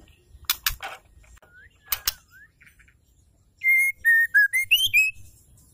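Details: Female white-rumped shama calling to stir males into singing: a few sharp knocking clicks and faint slurred whistles, then a quick run of about seven clear, pure whistled notes that dip and then rise.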